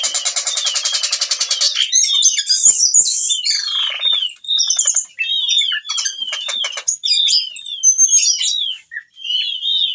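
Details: Whistling thrush singing steadily while in breeding condition and calling a female, used to prompt young birds to sing: a harsh rapid rattle opens, then a loud, lively run of whistled slurs and chirps with brief pauses.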